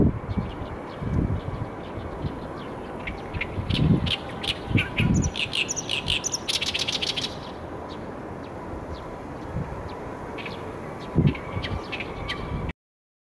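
Oriental reed warbler giving harsh, grating chatters in loose bursts, with a dense run of scratchy notes midway, over a steady low rumble of wind or distant traffic.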